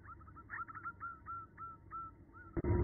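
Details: Female zebra dove calling a male, used to lure males: faint, evenly spaced cooing notes, each a short downward slur, ending in a sudden loud burst of noise.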